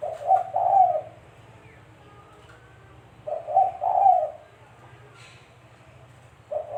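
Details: Spotted dove call serving as a decoy for trapping: throaty three-part coo phrases repeated about every three seconds, each a short note then two longer coos, with faint background hum.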